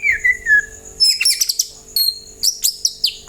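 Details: White-rumped shama singing to draw other birds into replying: a descending whistle, then a rapid burst of high chirps and sharp upswept notes with short pauses, over a steady high hum.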